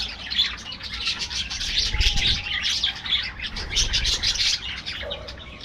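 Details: Budgerigar colony in an aviary, loud and constant: layered high chirps, twitters and warbling notes from numerous birds, with low background rumble.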